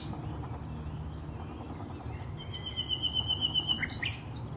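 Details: Common nightingale in woodland at Highnam Woods, Gloucestershire, 20 May 2012, giving a long pure whistle held steady, then quick high chirps and a short rising note, against low rumbling background.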